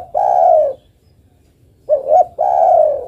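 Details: Female island collared dove calling the male: one long level coo, a pause, then two short rising hoots and another sustained mellow coo.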